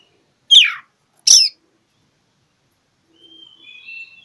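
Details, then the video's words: Oriental magpie-robin challenging a rival: two loud harsh downward notes in quick succession, then silence and a soft thin whistled phrase. "Kicau KACER cari LAWAN"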